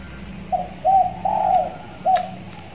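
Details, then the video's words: Six-month-old trained spotted dove tethered in a hanging cage: a short coo, then two longer rolling coos, then one more brief note, all low and mellow, with a click near the end. "tekukur di sangkar layang || ajaran sudah mulai gacor"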